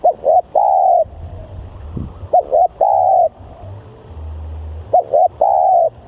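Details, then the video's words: Spotted dove used as a lure bird, said to be very aggressive and very vocal; three phrases in six seconds, each two short clipped notes then a long level coo, over a low background rumble. "Pikat Tekukur//Ini Kalau Liat Bl Sangat Bringas//Alias Sangat Gacor"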